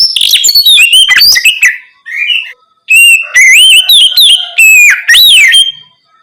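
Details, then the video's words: Night song in the open ngeplong style from an Oriental magpie-robin, used to provoke replies from untrained birds: varied sweet whistles and harsh notes, a short lull near two and a half seconds, then repeated upslurred whistles. "Terapi Kacer ngeplong malam hari untuk pancingan Kacer bahan agar lekas nyaut bunyi"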